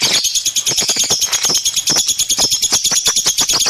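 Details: Pet lovebird chattering nonstop: dense, fast high-pitched squeaks and clicks in a continuous rattling stream with harsh scratchy accents.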